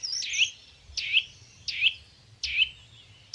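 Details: Young white-eye, still small and described as a greedy eater, repeating a sharp, high, downslurred chirp about every three quarters of a second, four to five times, over a faint low hum.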